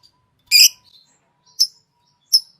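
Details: Three high chirps from a green Fischer's lovebird: a loud rasping first note, then two thinner, sharper chips spaced under a second apart.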